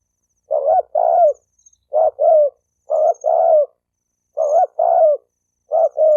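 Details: Spotted dove cooing to stir males and females into fighting. Quick series of deep, soft two-note coos, each a brief note followed by a drawn-out throaty one, coming every second or so with no other sounds.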